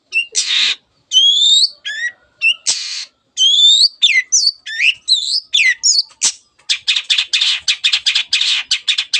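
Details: Cendet (long-tailed shrike) in vigorous song used to stir other birds: a harsh burst, then sweeping whistled phrases and chips, before a fast series of short, dry, scratchy notes chattered several times a second.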